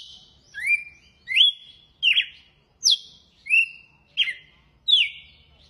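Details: Seven quick whistled phrases from a red-cowled cardinal singing açoite style, rising and falling slurs that level into held notes, delivered at a brisk, fairly even pace about every 0.7 seconds.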